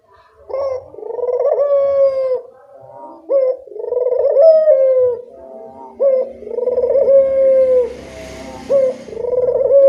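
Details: Barbary dove calling actively, used to encourage doves that rarely call: four long, low coos with sharp rising onsets, coming about every two and a half seconds, with faint hiss late in the recording.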